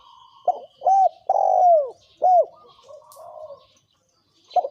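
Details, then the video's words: Spotted dove cooing, male and female birds used as a lure to provoke wild doves: a series of low, hollow coos with arched, rolling notes, one long drawn-out coo falling at its end, then softer murmuring notes. "Tiếng chim cu gáy thổ kim kích bổi trống mái"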